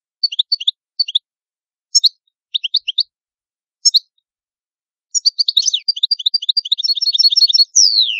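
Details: European goldfinch from Italy: sparse short clusters of high chirps at first, then a continuous rapid tinkling twitter and rattling trill ending on a falling slurred note.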